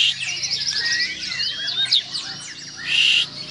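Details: White-rumped shama of the Borneo variety, known locally as murai batu Borneo, singing a rich run of high, clear whistled phrases: rising and falling slurs and quick sweeps, ending with a louder, sustained whistled burst.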